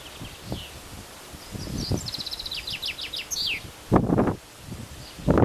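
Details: Common chaffinch (Fringilla coelebs) song: a bright, descending run of quickening notes ending in a short flourish, half-buried under loud rustling and thumping close by.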